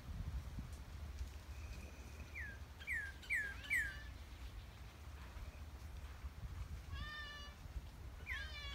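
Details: At Easter 2020, a Northern Cardinal sings clear, downslurred whistles in a quick run of three, then a burst of richer short notes, over a steady low rumble.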